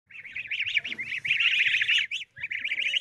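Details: Ducklings lying in the grass give dense, high, shrill peeps, overlapping in a rapid continuous chatter with a short pause near the end.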